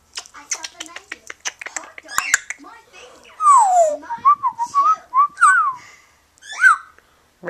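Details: Captive female African grey parrot at home imitating a household cat's meow for the first time, among other favorite sounds: clicks and chatter, then loud whistled notes that slide downward, wavering meow-like phrases, and a final rising squawk.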